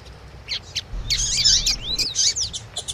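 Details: Double-collared seedeater song answering a female's call: a brief run of high, scratchy chirps building into a loud, tangled twitter with slurred downward notes, over a low hum.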